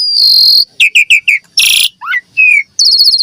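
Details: Javan pied starling song used to train young starlings: a long pure whistle, four quick chirps, a harsh buzzy burst, then further whistled notes.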